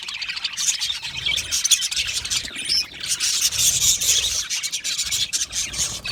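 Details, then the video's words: Budgerigar colony chirping when comfortable: a thick, continuous layer of high twittering and chatter from numerous birds, swelling and easing, with some low rustling noise beneath. "Australian Budgie singing sounds | Australian Budgie chirping sounds"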